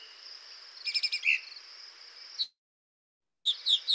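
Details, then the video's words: Male Brown Thrasher singing, a phrase about a second long and then a pause, with never a repeated phrase. Here a short cluster of chirpy notes is followed by a silent break and then rapid high notes. A steady high drone runs underneath. "you just heard a brown thrasher singing for 40 seconds and in that time the bird never repeated itself"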